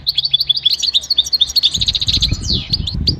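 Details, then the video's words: Goldfinch song for training: quick series of bright twittering notes about two a second, ending with a downward buzzy slur, low rumbling noise in the second half. "Enjoy the beauty of the goldfinch and listen to the most beautiful motivational"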